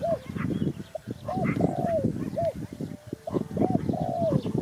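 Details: Spotted dove giving short arched coos followed by a drawn-out falling note, heard twice, partly masked by loud low rumbling and clattering noise.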